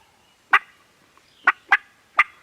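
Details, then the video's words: Turkeys at a farm gobbling, filmed with a Canon G7X camera: four loud, throaty rattling bursts, the last three closer together, over a faint background hum. "Turkeys Are Gobbling"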